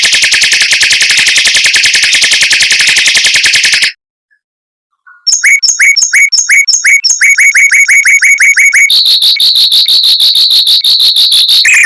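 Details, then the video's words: Mockingbird delivering fast, dense rolls and long bursts, compiled as master material for white-rumped shamas; a harsh rapid trill, a pause, then sharp rising chip notes and a high rattling series. "Suara Burung Mockingbird Roll Speed Rapat Tembakan Panjang untuk Masteran Murai Batu"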